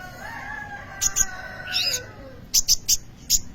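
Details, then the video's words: Sunbird song kept as a lure for training other birds: sharp, very high chipping notes in short bursts, two pairs early, then four quick clipped notes near the end, over a faint lower drawn-out tone and soft background hiss. "kolibri ninja gacor cocok untuk pancingan atau maateran burung bahan"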